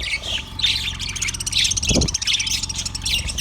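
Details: Chirping yellow budgie recorded February 18, 2024: warbling, scratchy high notes in rolling phrases, one low thump, and a faint hum.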